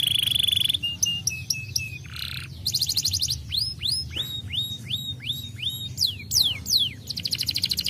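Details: Varied song of a Starblue canary, meant to provoke lazy birds into song: buzzy flat trills and a harsh nasal burst, then a series of clear rising-then-falling whistles and a closing rapid trill.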